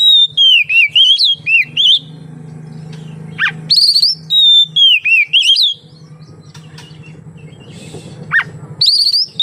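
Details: Oriental magpie-robin (kacer) song to coax other magpie-robins into singing; several loud looping whistled phrases with steep down-slurs, a long quieter stretch with low hum in the middle, then whistling resumes.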